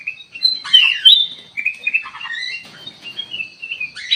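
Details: Kutilang emas lure call for provoking a response: a loud twisting chirp burst, then a string of quieter slurred whistles drifting down and up, closing with a sharp note.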